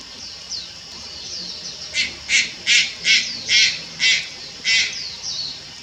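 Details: Young Malayan night heron at Lugu, 4 August 2022, producing a burst of about seven harsh raspy calls in quick succession, while thin descending whistles from another bird sound faintly before and after.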